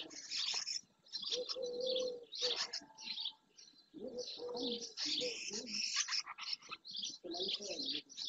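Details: Many barn swallows, numerous juveniles among them, massing in early June at the marsh shore of Doñana National Park, Spain. Almost continuous high chirping and twittering from several birds, broken by a few lower drawn-out tones.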